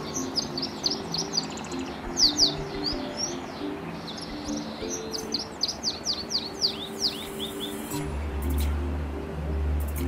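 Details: Wild-type Atlantic canaries from Madeira, kept in captive breeding: rapid series of thin, high chirps and twittering notes running nearly continuously for about eight seconds, over a constant low mechanical hum and background noise.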